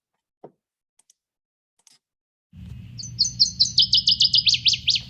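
Northern Waterthrush song: a loud, rapid run of sharp, ringing chips that speeds up and steps lower in small groups, over a low background hum.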